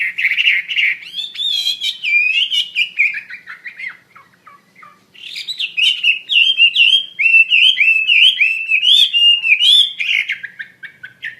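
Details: Hwamei (wambi mandarin bird) singing actively: a rich run of warbled, slurred whistles, rising and falling, with a short pause near four seconds before a faster, looping stream of bright phrases.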